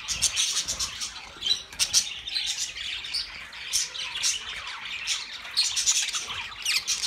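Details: Budgerigar group twittering in sharp, spiky chirps and squawks that rise in louder clusters every second or two over constant soft chatter.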